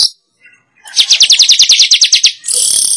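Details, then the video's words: Weaver sound used as a lure for wild weavers: after a short pause, a quick even series of about twelve sharp, high descending chirps, followed by a steady buzzy sizzle. "Suara Pikat Burung Manyar"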